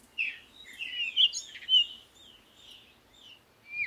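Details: Parakeet chatter of soft, scratchy twittering and a few sharper squeaks, with a light background hiss throughout.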